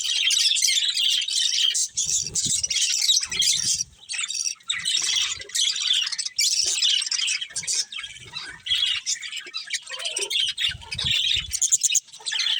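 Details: Budgerigars from a colony with a breeding pair, chattering in a dense, continuous stream of high, scratchy chirps and warbles with brief pauses, plus scattered low thumps.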